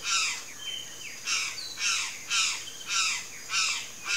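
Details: Palm tanager giving harsh, scratchy notes about twice a second, each broad and buzzy, with a faint thin whistle between them.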